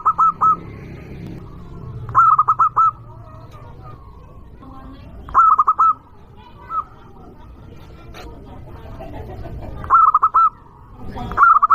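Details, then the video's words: Local zebra dove calling loudly as a lure meant to provoke rival birds: short bursts of three or four rapid, ringing coo notes, repeated at irregular intervals over a low background rumble. "Perkutut lokal gacor suara keras juaranya burung perkutut"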